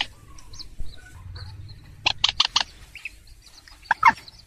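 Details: Trapping lure of purple swamphen: mostly quiet with faint chirps, then a cluster of four loud, rough notes, followed later by a single sharp squawk.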